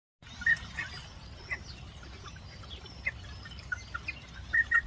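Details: Endemic South Georgia pintail (Anas georgica georgica) courtship call: short, clear whistled notes singly and in quick pairs every second or so over steady low wind.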